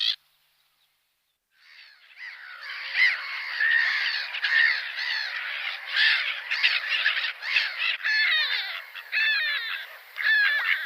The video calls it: GULL SOUNDS - Learn gull | Sound Effects of Gull